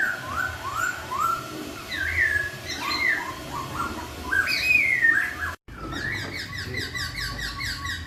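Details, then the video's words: Melodious laughingthrush song drawing answers from other laughingthrushes: fluent run of rising and falling whistles, a brief cut, then quicker repeated chirping notes over a rhythmic high ticking. "KICAUAN POKSAY YG MERDU MEMBUAT POKSAY LAIN LANGSUNG NYAUT"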